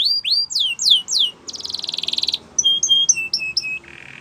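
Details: Belgian canary singing to train other birds: loud descending swept whistles, a buzzy rolling trill, short clipped paired notes, and a low-pitched soft buzz at the close.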